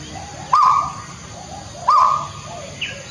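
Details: Peafowl, the haruai of the Kalimantan interior, gives loud, abrupt calls with a sharp start that hold level and then fade. Two are heard about 1.3 seconds apart over a steady hiss of background noise.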